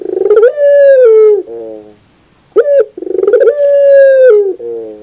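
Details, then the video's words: Barbary dove, a 2021 training recording for birds. It gives two full phrases. Each is a rapid pulsed roll swelling into a long ringing coo that sags at its end, then a lower muffled note. A brief sharp coo comes between them. "Masteran terbaik Burung Puter 2021"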